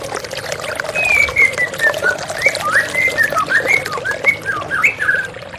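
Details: White-rumped shama singing in a water-sound therapy track for stressed, silent birds: a long flowing sequence of clear whistles, falling then rising notes in quick succession, with steady running water beneath.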